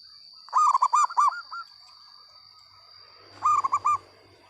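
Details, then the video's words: Local zebra dove singing steadily with a loud voice: two bursts of rapid, mellow cooing notes, a stuttering run of four or five coos ending in a longer note, separated by about two seconds, over a steady high electronic whine. "perkutut lokal gacor suara lantang"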